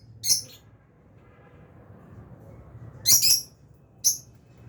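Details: Aviary lovebirds, albino and Fisher's, chirp in short, high bursts: one at the start, a doubled chirp after a long quiet gap, then a final single note, over a faint low background hum.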